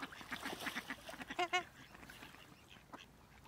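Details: Ruddy shelduck at Zbiljsko lake on 28 November 2023 gives a quick run of nasal, goose-like honks, about eight in a second and a half, the last two loudest, then fainter honks in the background.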